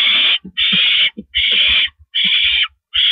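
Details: At 8:25 PM on April 16, 2012, a male barn owl brings food to his mate on a porch; long rasping hisses, each roughly half a second, are repeated with small pauses and soft low taps in between.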